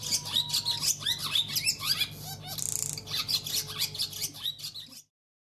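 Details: Overwintering barn swallow in a cold region, a male with a newly arrived female, February 2020. He sings to lure her to the nest: fast, squeaky twittering phrases, a harsh buzzy rattle in the middle, and twitters that end abruptly.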